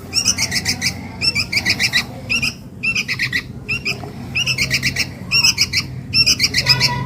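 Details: Sooty-headed bulbul young calling its mother, for luring: fast trains of scratchy, squealing notes in bursts of four or five, separated by brief pauses, over soft low noise.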